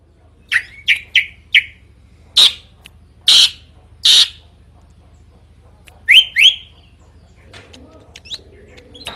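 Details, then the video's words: Drongo song, described as loud and varied: short rising whistled notes near the start, three louder broad strident bursts, then two upslurred whistles and a few faint chirps over a low steady hum. "Kicauan Unik Srigunting Gacor Suara Kencang Bervariasi"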